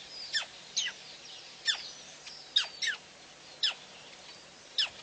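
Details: Female black crake, PP, 9/6/11: a series of about eight short, shrill notes each sweeping sharply downward, uneven rhythm, some close together, over low background hiss.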